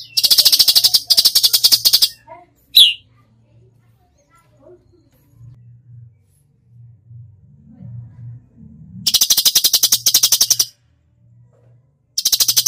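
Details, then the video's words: Cucak cungkok singing in a full 'tembakan' style: dry, rapid ticking rattles in bursts of about a second, separated by quiet gaps filled with a low steady hum and a few faint soft notes. "masteran cucak cungkok gacor full tembakan"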